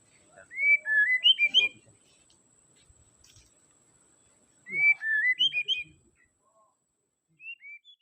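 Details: Caged white-rumped shama song for stirring up a bird that sings too little: two bursts of bright, quickly stepped whistles about four seconds apart, followed by a short soft whistled fragment.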